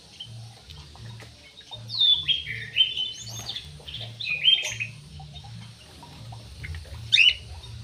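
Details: Javan pied starling, or jalak uret, delivering loud, squeaky swooping whistles and harsh chattered notes in a quick sequence, then a sharp final squeal after a pause, against a low droning hum.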